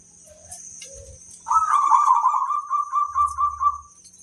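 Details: Lure zebra dove, a local bird, in song. After a few faint soft notes comes one long, mellow, quavering coo that holds level and pulses rhythmically for over two seconds before fading, over a constant high-pitched hum.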